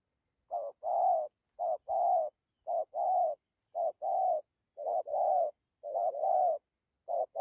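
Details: Spotted dove cooing rhythmically, each phrase a quick short coo joined to a longer, slightly wavering one. The phrases repeat regularly, nearly one per second, in a clean, quiet setting.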